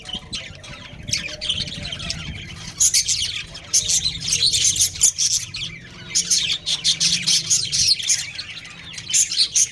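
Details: Two budgerigars, a breeding pair kept as pets, chatter in quick raspy chirps that grow denser and louder after the first few seconds, over a soft low background hum.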